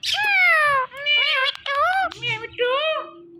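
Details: Indian ringneck parrot, a talking pet bird, uttering a string of voice-like syllables with gliding pitch, imitating speech, over a faint steady tone.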